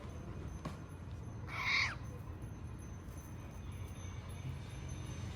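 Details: A single short, harmonic call from a pet cockatiel enjoying scratches rises out of a low, steady background hum.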